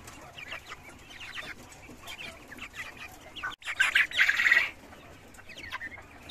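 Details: Caged Cochin hens and roosters on a farm; scattered soft clucks, then a brief loud harsh squawking burst midway, followed by more quiet clucks and a rising note at the end.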